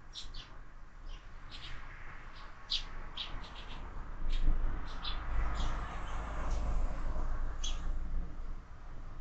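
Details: Sparrows and fledglings at a window-mounted feeder give rapid, irregular high chirps, clustered early and thinning out, while a rising low rumble fills the background.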